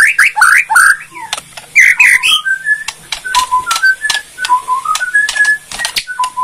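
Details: Bornean white-rumped shama giving kretekan song, meant to provoke other shamas into answering: loud rising whistles and slurred notes at the start, then quieter repeated whistled phrases laced with sharp dry clicks throughout.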